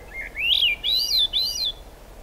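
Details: Swainson's thrush song recorded during rain at the Squamish River Estuary, July 2022: a brief, breezy run of three rising, rolling flute-like phrases, each arching upward before fading.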